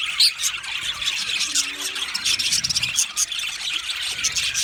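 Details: Colony of male budgerigars in an aviary on 8 December 2025, producing a constant high-pitched squeaky twitter with a few sharper squeals standing out from the massed chirping.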